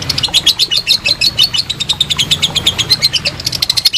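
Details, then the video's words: Lovebird ngekek, long trill used as master for contest birds, heard as four seconds of dense, high, rapid chattering notes with uneven spacing. "Masteran Lovebird Ngekek Panjang"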